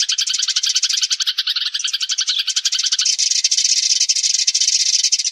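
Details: Sparrow flock call used as a trapping lure: a dense, continuous chatter of many overlapping high chirps, rapid and unbroken throughout, with no other sounds.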